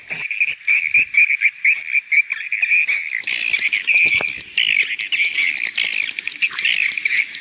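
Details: Swiftlet call used to attract young swiftlets: steady high chirping that becomes a denser, clicking twittering chorus partway through, with rapid overlapping ticks.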